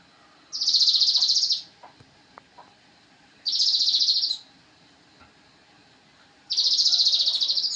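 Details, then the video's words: Song of a Javan cochoa, played to train songbirds: three high, buzzy, evenly trilled notes about one second long, repeated every three seconds, with faint clicks in the gaps. "masteran sogon"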